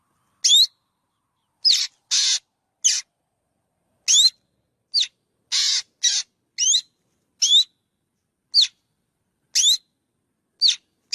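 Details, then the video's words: Black drongo giving a long series of calls: quick upslurred whistles alternating with harsh raspy buzzes, about fifteen notes in eleven seconds, irregularly spaced, on a silent background. "tiếng chim chèo bẻo kêu"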